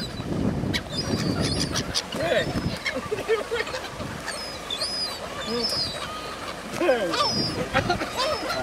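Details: Gulls being fed at Cramond near Edinburgh; a busy mix of high squealing calls and lower cackling notes, with gusty wind and a low rumble beneath.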